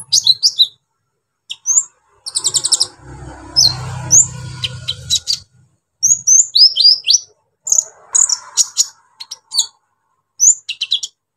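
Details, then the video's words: Energetic brown-throated sunbird (kolibri ninja) showing off its varied, harsh repertoire to excite other sunbirds: sharp upslurred squeaks, chattering bursts and thin high whistles, with a stretch of low rumbling noise in the middle. "KOLIBRI NINJA GACOR BONGKAR ISIAN KASAR BUAT MENAIKAN EMOSI KONIN BAHAN"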